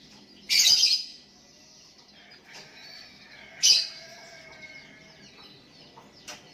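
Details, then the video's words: Sooty-headed bulbul calling toward a rival lure bird, other bulbuls replying: two loud, harsh, scratchy bursts about three seconds apart, with faint softer notes between them. "Burung Kutilang Memanggil Lawan pancingan,,dan Kutilang Lain Ikut nyahut"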